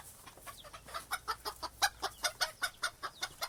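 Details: Chickens clucking in a quick, uneven series of short broadband notes, about twelve clucks over three and a half seconds, steady in loudness with a faint background hiss.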